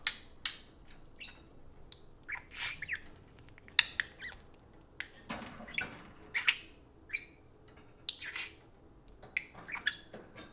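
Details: Two pet parakeets taking turns addressing a spoon produce a steady run of squawky, scratchy chatter. Bursts of buzzy and whistled notes repeat roughly every few seconds, with short quiet breaks between them.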